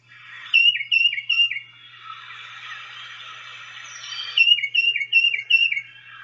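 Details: Tufted Titmouse (Baeolophus bicolor) song from a Northeastern U.S. bird guide: clear, downslurred two-note whistles, peter-peter-peter, in two quick runs of four or five phrases, with a soft hiss between.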